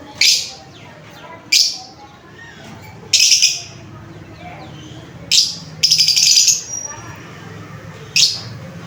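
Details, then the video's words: Lovebird uttering scattered sharp, high chirps, a few seconds apart, one stretched into a longer grating squawk, with steady low background noise throughout. "Love bird chirping sound"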